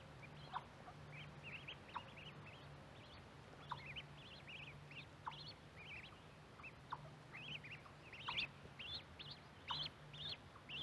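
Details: A group of mallard ducklings near a microphone set by corn keep up busy, overlapping high peeps that grow louder and denser toward the end, with a low background hum.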